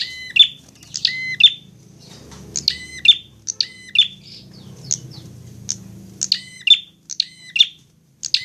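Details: Fighting prinia in a training recording meant to get birds singing: rapid strings of sharp, harmonic chip notes with short buzzy tails, repeated in quick pairs, over a faint low hum.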